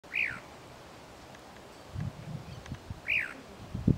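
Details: Chalk-browed mockingbird in the urban area of Presidente Prudente, São Paulo state, Brazil: two clear arched whistled notes, rising then falling, about three seconds apart, with low thumps and rustling underneath.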